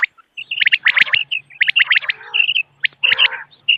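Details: Morning calls of common quail, recorded to attract birds for hunting: bright, clipped whistled notes in fast clusters, with short level tones between bursts and a low steady hum behind.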